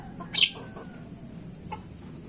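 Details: A single loud, hoarse screech from a Javan myna (jalak kebo) on a lure recording meant to set birds calling, followed by faint short notes and a steady low hum.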